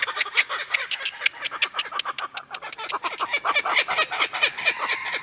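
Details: A pair of laughing kookaburras calling together: dense, rollicking chuckling notes that overlap in an uneven, raucous laughing chorus, with a few higher whistled tones mixed in.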